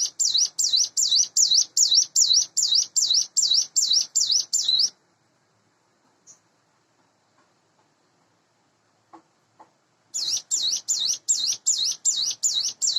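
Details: Morning singing by a captive Sunda bush warbler reared by hand, about eight months old: five seconds of quick, high, wavering notes, a long pause with a few faint ticks, then the notes return.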